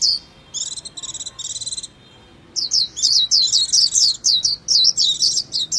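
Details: Japanese white-eye: two buzzy, rattling trills followed by a rapid, tumbling series of high, warbled chirps that sweep downward.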